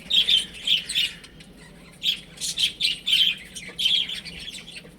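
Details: Baby chickens playing at home, giving high, clear peeping chirps in quick bursts, several notes per burst, separated by short pauses, with a faint low indoor hum beneath.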